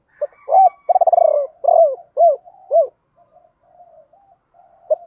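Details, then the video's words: Decoy spotted dove calling in the 'ba hậu' style, which some call 'bổ ba', used to provoke and lure wild doves: a short coo, a long coo, a fast stuttering rolled note, then four arched, falling coos, with faint soft cooing after. "Chim cu gáy mồi gáy gọi ba hậu, nhiều anh em bảo là bổ ba"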